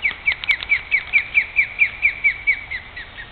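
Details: Nesting osprey pair in Great Neck, New York, a male and female guarding their nest against an approaching person; a rapid, steady series of about fifteen sharp, high, slurred whistles, evenly spaced, over a faint background hiss.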